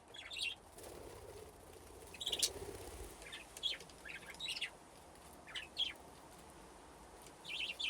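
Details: Aviary budgies at play give scattered high, quick chirps and warbles, spaced irregularly over a quiet background with a low hum early on.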